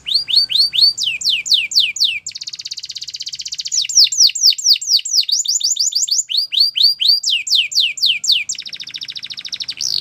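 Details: Canary training song mixing fast series of sharply falling notes with stretches of dense buzzy trilling, the tours alternating repeatedly, bright and high throughout.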